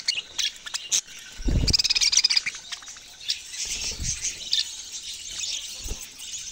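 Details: Budgerigar giving scattered high chirps, then a short burst of rapid pulsed chatter, followed by softer twittering with occasional low knocks.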